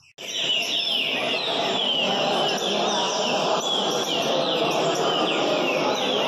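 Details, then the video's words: Green-winged Saltator (trinca-ferro) named Doideira, caged and singing in a competition circle, gives short, bright, down-slurred whistled phrases about every second over loud steady hiss and murmur; it placed third with 147 songs. "Mexida Trinca ferro Doideira"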